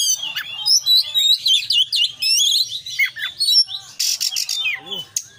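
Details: Kacer, the Oriental magpie-robin, in full isian song: tumbling, varied high whistles and twittering notes packed tightly together, then a harsh scratchy burst and a falling slurred note near the end.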